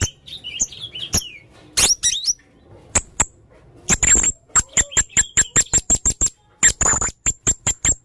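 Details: Male blue-crowned hanging parrot, gacor konslet teler main singa style: a few thin squeaky notes, then a steady series of sharp high ticks repeated about four times a second.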